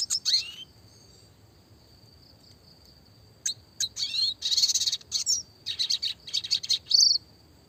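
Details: Classic red siskin, clear-voiced, for songbird training: an opening sweep and chirps, a quiet stretch with a steady thin tone, then dense buzzy twittering bursts.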